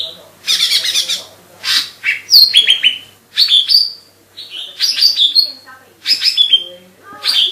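A lesser green leafbird sings a lively, varied song of harsh chattering bursts and bright, falling whistles, phrased every second or so.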